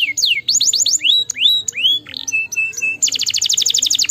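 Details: Stimulating canary song: falling whistled sweeps, then drawn-out rising slurs and scattered short chips, ending in a dense, fast, buzzy trill of repeated high notes.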